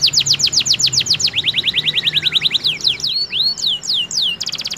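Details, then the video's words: Canary singing, used to prompt other canaries into song: quick tours of sharp falling notes, shifting to a lower repeated phrase, then scattered looping whistles and a final rapid high trill. "PANCINGAN KENARI AMPUH!!"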